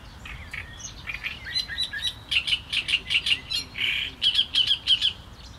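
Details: Great reed warbler singing: a loud run of short, harsh, chattering notes, with some strongly repeated in quick series of paired syllables, then a rapid burst of scratchy repeated notes near the end.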